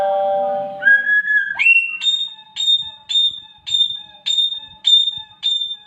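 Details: Samyong, a talented imitator of strange sounds: a low harmonic tone slides into rising whistles, then clear high whistled notes repeat about twice a second with a faint lower echo.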